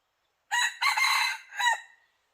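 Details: Red junglefowl crow used as a decoy to lure wild junglefowl that would not approach the trap: one loud, harsh crow of about a second and a half in three bursts, the last falling away, over a quiet background.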